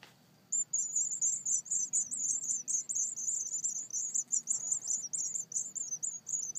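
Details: White wagtail; begging calls; hungry young begging for food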